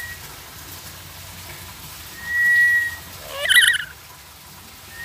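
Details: Talking black-capped lory saying the Indonesian greeting "selamat sore" (good afternoon): a brief steady whistle, a pause, then a raspy, layered, speech-like utterance lasting under half a second.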